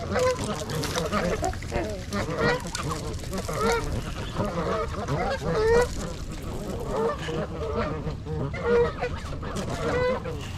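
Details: Winter flock of 42 trumpeter swans, 26 adults and 16 juveniles, at Gallup Park in Ann Arbor, Michigan, on January 8, captured with a GoPro. Short nasal honks repeat every one to two seconds above a constant murmur of the flock.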